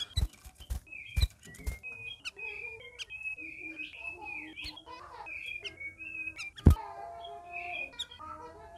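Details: Captive red-whiskered bulbuls kept together, in their first week of care, give warbling whistled phrases that dip and rise, interrupted by loud dry clicks and knocks.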